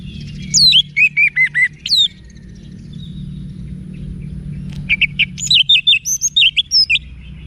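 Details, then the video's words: Orange-headed thrush song, played to train and provoke caged birds. Two bursts of loud, clear whistled notes with sharp sweeping slurs: a run of six quick, evenly spaced notes, then after a long pause a second rapid, varied phrase. There is a steady low background hum. "ANIS MERAH Manapun Bakal Nyaut Berani Untuk Figther Saat Didengarkan Kicauan Wiksar Ini"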